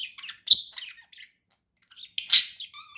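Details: Pet budgerigar giving two bursts of song, each a loud squeaky chirp followed by raspy chatter and short whistled tones, separated by nearly a second of quiet.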